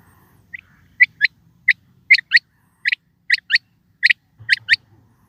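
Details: Quail calling: about eight sharp, clipped high notes over five seconds, most given as quick doubled pairs roughly every half second, with a faint low rumble underneath.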